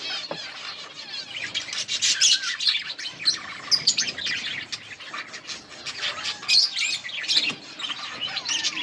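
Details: Colony of budgerigars chattering while eating: dense, overlapping high chirps, twitters and warbles pour continuously, with sharper squeaky peaks scattered throughout and no pause in the flock's noise.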